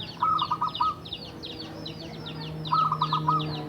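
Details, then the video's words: Local Javanese zebra dove of wild stock, kept for seven years and singing steadily. It gives two bursts of rapid, bead-like cooing notes near the same pitch, with constant high chirping from other birds and faint low hum behind. "Perkutut lokal Jawa gacor untuk pancingan perkutut yang malas bunyi"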